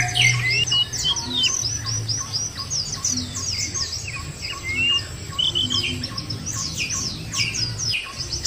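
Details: White-eye lure track for making birds sing; a softer chorus of high, quick chirps and slurred whistles from several birds, with some lower calls, rustling noise and a low hum.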